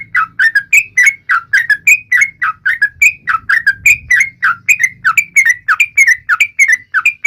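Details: Yellow-vented bulbul song, described as taunting rivals: a fast run of short, bright whistled notes, each dipping or rising, about three per second and steady throughout, with a faint low hum underneath.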